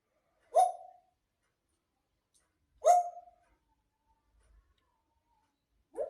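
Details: Two single bark-like calls from a grey parrot, each short and gruff, about two seconds apart, with near silence between them indoors.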